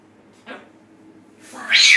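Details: Pet Triton cockatoo while showering and drying herself gives a brief rasping note, then a loud, harsh, grating screech, with a person speaking quietly in the background.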